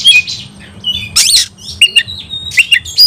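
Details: Caged oriental magpie-robin in a fighting mood, delivering a rapid medley of short whistles, harsh scratchy bursts and squeaky chirps, loud and closely spaced, with a soft low hum behind.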